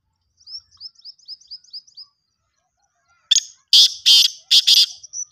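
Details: A run of thin high twittering notes, a second of quiet, then the black francolin, known as kala teetar, bursts out with five harsh, scratchy, broadband notes clustered in pairs, with a faint high chirp after.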